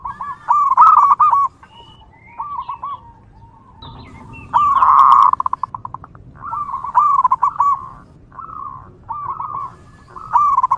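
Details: In the wild, a zebra dove repeats its song, used to call in other zebra doves: rolling, stuttering coo phrases with a dense rattle in the middle, returning every few seconds among faint chirps of other birds.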